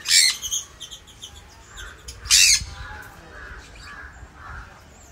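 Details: Pet sun conures at play give harsh, piercing screeches, two loud bursts a couple of seconds apart.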